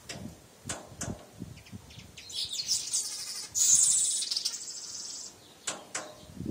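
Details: Morning scene of a male weaver fighting his reflection in a mirror: rising, wheezy, buzzing chatter builds to a loud sizzling burst, with sharp clicks and soft thuds before and after.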